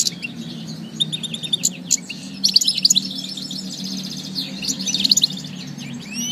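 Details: European goldfinch song of rapid tinkling chirps and short metallic trills, bursting into busier twittered phrases midway, over a steady low background hum.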